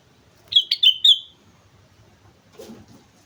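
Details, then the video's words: Sooty-headed bulbul singing vigorously at Mount Slamet: one quick phrase of three bright whistled notes, then a faint rustle. "suara burung kutilang gacor gunung slamet"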